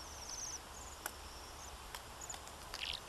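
Bohemian waxwings give thin, very high trilled sirrr calls, soft and repeated, with a few clicks and a brief lower chirp near the end.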